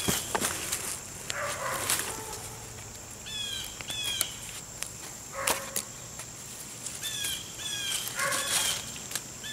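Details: Most likely a Blue Jay at an outdoor camp gives short, clear, slightly falling call notes in paired bursts. Loud clicks and knocks from rope and wood lashing fill the gaps, over a steady insect hiss.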